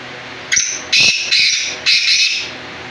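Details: Black francolin giving a loud, harsh, grating call, several rasping bursts in quick series, the middle ones longer and strongest, over a low steady hum.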